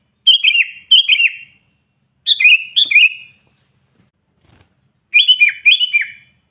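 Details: Sooty-headed bulbul song for luring wild bulbuls: pairs of quick, bubbly phrases with jumpy notes, three pairs separated by short silences.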